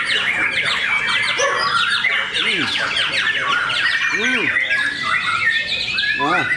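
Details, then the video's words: Several caged white-rumped shamas competing at a singing contest in Cikeas: dense overlapping whistled and chattering phrases, rapid up-and-down notes, with human voices rising and falling underneath. "Serunya pertarungan murai batu"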